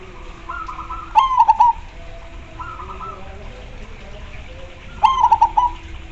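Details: Zebra dove singing vigorously, its song making others call back. Two loud phrases of rapid clipped coos, each answered by quieter, smoother coo phrases from nearby doves.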